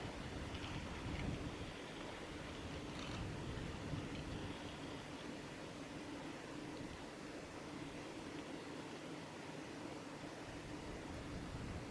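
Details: Steady wind and rushing, water-like noise with a low rumble throughout; no clear bird calls stand out.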